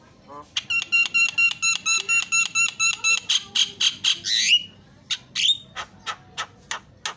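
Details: Javan myna song used as a lure to get a silent myna singing: a rapid series of about twenty clipped, ringing notes with strong harmonics, then a buzzy flourish and a run of sharp, widely spaced chips.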